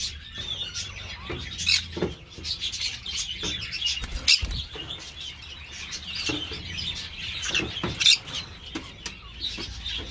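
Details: Captive green-cheeked parakeets in an amateur breeding aviary keeping up busy, uneven chatter of rasping chirps and sharp squawks, with occasional clicks and knocks between calls.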